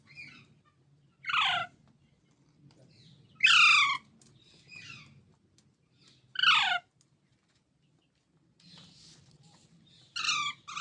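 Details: Baby green Indian parrots, mitthu, uttering repeated harsh falling squawks every two to three seconds, with soft chatter in between.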